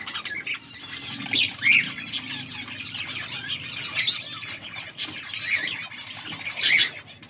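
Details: Several colourful budgies chattering steadily, with high twittering warbles and sharp chirps that peak at intervals over a continuous low murmur.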